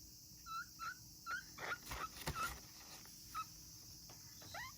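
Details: A young African grey parrot chick born in August 2020, alone at a breeding facility and calling as if lonely. It gives short, clear, slightly rising whistled notes about every half second, with soft clicks and rustling between them against steady background hiss.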